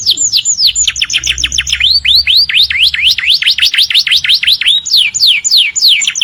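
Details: Morning canary song made of long runs of quick rising and falling whistled sweeps, repeated rhythmically several times a second with slight changes in pitch and shape.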